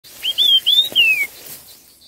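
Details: Red-tailed minla giving a fast, intense duelling song: a single phrase of four clear whistled notes, the first three short and level, the last a long downward slur.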